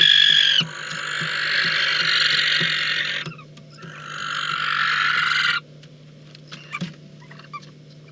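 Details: Catalonian barn owls recorded 19 August 2022 on a nest camera during mating. Two drawn-out, rasping hiss-screeches of about three and two seconds follow each other, then faint clicks and a steady low hum.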